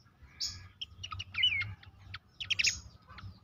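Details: Horsfield's babbler song played to stir caged birds into singing: a short burst of clear whistled notes and quick rising and falling slurs, high-pitched, over a steady low hum.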